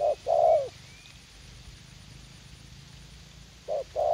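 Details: Young spotted dove used as a decoy for trapping, described as eager to fight, in a garden at U Minh, Vietnam. A short low coo is followed by a longer coo that falls at the end. The phrase returns near the close over faint background hiss.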